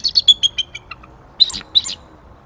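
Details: Male and female bald eagles vocalize together before an attempted copulation on January 9, 2023. A fast run of high chirps falls in pitch and fades, then two louder, sharp piping notes follow.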